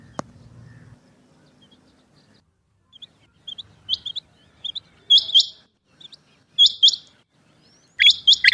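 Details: After a faint opening, a female rain quail (chinga batair) builds from soft single notes into loud, sharp doubled notes repeated at intervals of about one and a half seconds.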